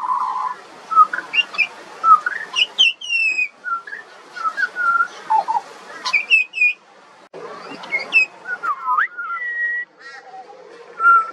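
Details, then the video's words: Juvenile pied butcherbird, an Australian songbird, delivering a lively medley of fluted whistles, quick upslurs and downslurs at varied pitches, with short pauses between bursts of phrases. "Butcherbird. Bird Singing. Bird Call and Sounds"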